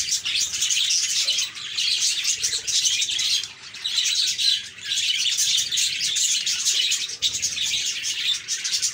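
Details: Budgies chirping together in a busy, steady chorus of high twittering, chattering notes that swell and dip in loudness, with brief quieter gaps, from a long compilation intended to encourage quiet or lonely parakeets to sing.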